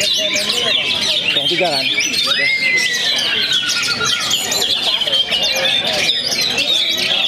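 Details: Oriental magpie-robin from Perbaungan, North Sumatra, singing after its moult: a rapid jumble of high chirps and twittering notes with one clear rising whistle midway, set against dense overlapping bird chatter.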